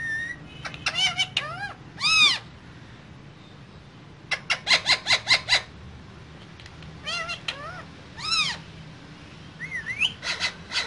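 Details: Two green parrots chattering in a cage: bursts of harsh, ringing squawks with rising and falling arched notes, a quick run of rapid pulsed clicks in the middle, and a thin rising whistle near the end.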